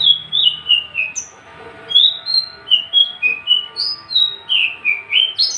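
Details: Tame caged male Javan bush lark, unringed and ready to breed, giving clear high whistles that slur downward, about three phrases a second in an uneven run, against a quiet faint hum.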